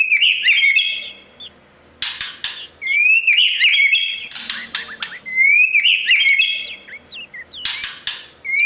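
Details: White-rumped shama morning training song for a young competition bird: rising whistled phrases alternating with harsh broadband bursts, high chirps repeating roughly every few seconds.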